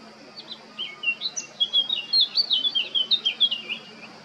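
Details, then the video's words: Male Eurasian blackcap on Krk island, Croatia, recorded 20 July 2022, gives a quick, jumbled warble of high squeaky phrases, about three notes per second, over a steady background hum. "Crnokapa grmuša, mužjak (Sylvia atricapilla)(Birds of Croatia- Blackcap, male)"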